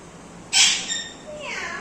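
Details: A pet Indian Ringneck (rose-ringed parakeet) talking gives a sudden harsh, high-pitched burst, then a few brief whistled tones sliding up and down, forming a short mimicked phrase, apparently saying "mithu beta".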